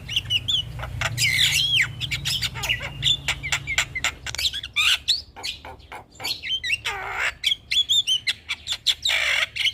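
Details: Lure song of a black-winged myna aimed at stressed birds, a rapid, scratchy stream of chirps and squawks mixed with short whistled slurs, with some harsh rasping bursts, in a continuous, uneven flow.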